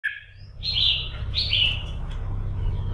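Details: A Red-whiskered Bulbul in morning singing practice, kept to fire up other birds for song contests, gives bright, liquid whistled phrases: two quick warbling bursts in a few seconds over a low steady hum.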